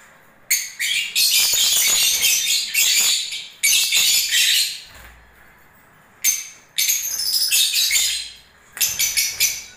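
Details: Lovebirds during breeding season giving dense, harsh high-pitched chattering in long bursts of two to three seconds, separated by short silences, with twittering squeaks layered through each burst.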